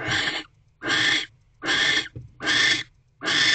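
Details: A mating barn owl pair in nest box C, evening of 25 December 2023, the female gripping a delivered rodent. Five rasping, noisy screeches, each roughly half a second long, follow one another at a steady pace.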